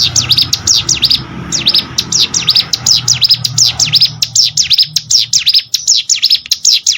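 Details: A ciblek sawah prinia sings a long, fast series of piercing chirps, each note dipping and rising, repeated steadily with only a slight pause early on.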